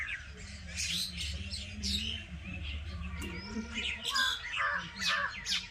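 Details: Village birds in busy chatter: overlapping sharp chirps and a few harsher squawks, fairly dense but irregular, over a steady low hum.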